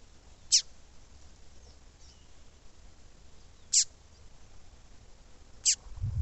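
A female double-collared seedeater gives three sharp, high, downslurred chips, spaced two to three seconds apart, with a low rumble at the end.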